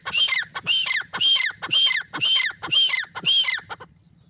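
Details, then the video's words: Close francolin call series: harsh, creaky phrases repeated about twice a second for three and a half seconds, then stopping, leaving faint background hum. "Teetar ki Awaz | Teetar voice | Teetar Calling | Francolin"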